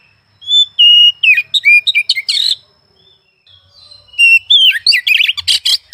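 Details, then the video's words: Oriental magpie-robin, a kept bird in full song, delivers loud varied whistled phrases between about 2 and 5k: clear flat notes, slurred rising and falling whistles and harsh buzzy bursts, in two bouts separated by a short pause. "Suara burung Kacer pagi siang malam"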